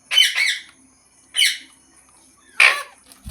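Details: Green parrot gives harsh, raspy squawks in three separate bursts, the first doubled, each roughly a second apart.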